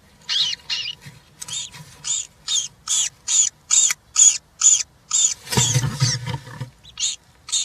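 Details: European roller nestlings, three chicks, watched by a live nest camera on 20 June 2023 while one receives a giant grasshopper; a long run of fifteen-odd rasping calls, over two a second, with a low rustling thump midway.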